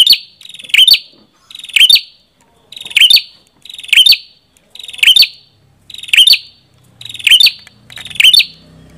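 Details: Red-headed prenjak repeating a short, shrill, buzzy chattering phrase roughly once a second, nine phrases in steady succession, with a faint low rumble near the end.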